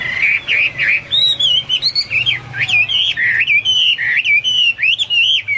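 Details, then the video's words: Lively, chattering Hwamei song: looping, wavering whistles, bright upslurs and quick warbles flowing almost without a break, loud and clean. "Burung Hoa Mi gacor"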